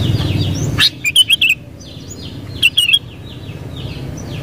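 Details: Sooty-headed bulbul (Pycnonotus aurigaster) song: two quick bursts of four bubbly, chirpy notes, over low rumble and faint high calls of other birds.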